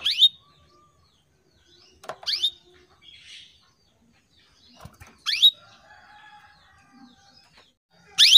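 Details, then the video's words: Female canary calling to males, used as a lure to set male canaries singing: short bright chirps sweeping steeply upward and ending in a brief high note, given four times about every two to three seconds, with faint clicks and rustles between. "PANCINGAN KENARI BETINA MEMANGGIL JANTAN"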